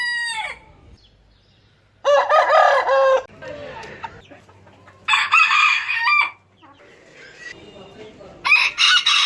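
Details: Several rooster crows following one another, each a strained, raspy call with a long sustained middle note, spaced a few seconds apart, with low background hum and faint rustling between them.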